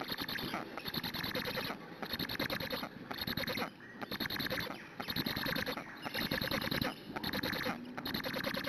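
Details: Nestling black storks begging on a Hungarian nest streamed live, 12 June 2017, shortly after 8 a.m., until a parent comes with food; harsh rattling bursts of squeaky pulses roughly a second long, separated by short gaps.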